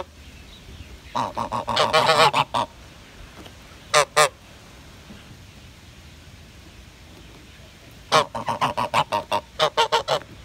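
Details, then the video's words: A greylag goose gives bursts of loud, nasal honks in rapid series, then a double honk and another long run of honks. "CANTO DO GANSO CINZENTO"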